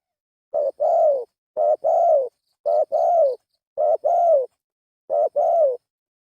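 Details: Spotted dove lure call: paired coos, a short note then a longer falling one, repeated about once a second in five even pairs, clean with no other sounds.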